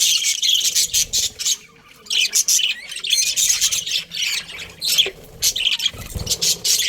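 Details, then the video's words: A breeding pair of Australian budgies squawks and chirps in harsh high bursts, with a short quiet gap early on. "Australian budgies breeding pair | Budgies chirping sounds"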